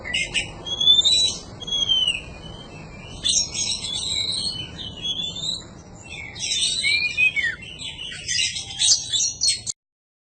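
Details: Oriental magpie-robin training song for cage birds: warbling high phrases mixed with clear rising and falling whistles, in three longer bursts, ending in silence.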